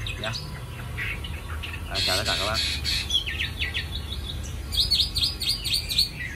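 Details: Caged young Chinese hwamei from Hanoi, marked by a white patch on the chin. A dense, loud buzzy burst is followed by quick slurred whistles and a series of sharp falling notes, with some background noise.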